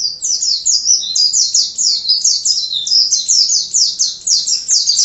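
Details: Nonstop thin, bright chattering from a pleci, the Oriental white-eye, sung 'gacor' as a tutor song: quick descending note slurs tumbling over each other throughout.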